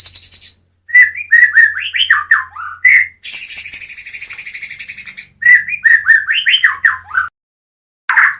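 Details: White-rumped shama, Medan type, pouring out quick whistled and slurred notes, then a sustained high buzzy trill lasting two seconds, then more varied whistling; a faint low hum underneath.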